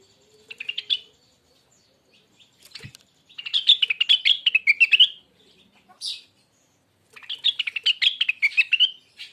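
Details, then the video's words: Rengganis bird, original recording made as training material: three bursts of fast, chattering twittered notes separated by pauses, with a short click and a sharp rasp between phrases. "suara burung Rengganis bahan"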